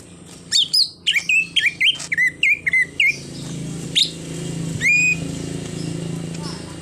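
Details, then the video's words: Greater green leafbird in full isian song, a mimicry-filled performance that includes a car horn imitation; a quick run of about ten loud, down-slurred whistled notes, then a pause and a single rising whistle over steady low hum. "Cucak Ijo Full Isian_Ada Bunyi Klakson Mobilnya Juga"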